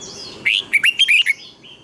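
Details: Training-song phrase from a red-whiskered bulbul, a quick run of five bright slurred whistles that rise and fall, preceded by a faint high descending note.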